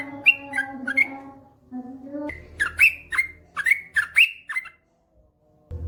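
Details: Yellow-vented bulbul (trucukan), male in full song: a lively string of bubbly, swooping, upward-flicking chirps, partly over a steady low drone, ending in silence.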